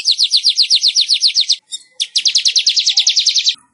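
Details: Weaver song for encouraging caged weavers to sing: two rapid, even series of high, dry ticking notes, about ten per second, split by a short gap with faint buzzing.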